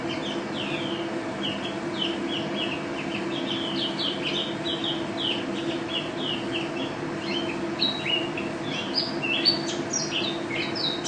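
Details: Mountain white-eye (pleci), a national contest winner, giving a long gacor ropel-style stream of quick, high chirps and short slurred whistles, dense and restless throughout, with a continuous low hum underneath.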